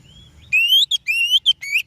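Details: A short oriental magpie-robin lure song for prompting other birds: after a faint soft whistle, loud ringing notes that climb steadily in pitch, interleaved with short clipped chips.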